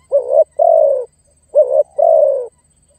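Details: Spotted dove calling to lure and challenge an opponent: two deep coo pairs, each a quick short note then a longer, even, slightly dropping coo, separated by a brief pause.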